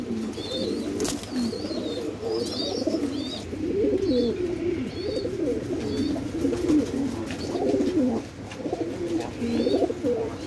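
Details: Suital red tail mark fantail pigeons at a pigeon farm in Bangladesh give deep, throaty rolling coos that overlap and repeat steadily, with faint higher chirps from other birds and a few sharp knocks in the room.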